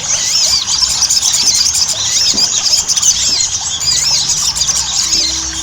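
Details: Ruby-cheeked sunbird, known locally as sogon, in a lure recording played to make kept birds sing readily. Dense, overlapping high thin arched notes and rapid chattering twitters, with steady background hiss.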